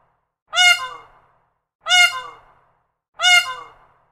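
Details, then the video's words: A peacock gives three loud, nasal, ringing squawks, each under a second and falling at the end, spaced about every 1.3 seconds against a silent background. "Peacock bird call. A single, high-pitched bird call. Calling and squawking from a peacock."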